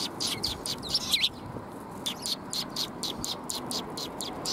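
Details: Sparrows coming to be fed, recorded 20 March 2021: a flock's rapid high chirps repeat through the clip, with a few louder sharp notes near the start and low background hum.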